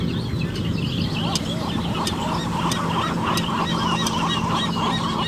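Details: Seagulls calling on a California beach at Mission Bay in the morning, recorded with an Olympus PEN E-PL9. Overlapping gulls give a dense chorus of short, arched yelping notes, with occasional sharp clicks and constant surf noise.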